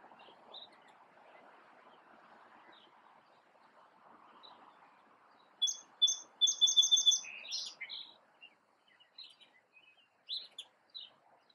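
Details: Small male sparrow singing: after a quiet, low background hum, a bright burst of rapid, repeated high notes and a short buzzy trill lasts about two seconds. A few scattered, fainter chirps follow.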